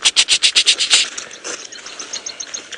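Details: A Tawny-flanked Prinia calls on a sunrise drive after rain at Djuma, Sabi Sand, Kruger, South Africa, on 5 January 2018. It gives a loud, metallic, rapidly repeated call of about eight harsh notes in one second, then softer scattered chips.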